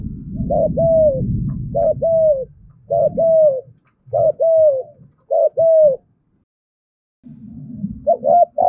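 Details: Spotted dove luring call in the thúc gù manner: five evenly spaced double coos, a clipped lead note and a sliding longer note, over low rumbling background noise that fades, then returns at the end.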